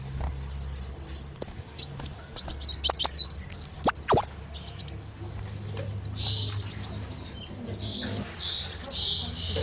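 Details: High, thin twittering of an olive-backed sunbird, played as a bird lure: a jumbled rapid phrase, a pause, then a long, steady string of quick chirping notes.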